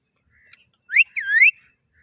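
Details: Pet parrot making a short two-part whistle, a quick rising note followed by a longer swooping slur, in otherwise quiet surroundings.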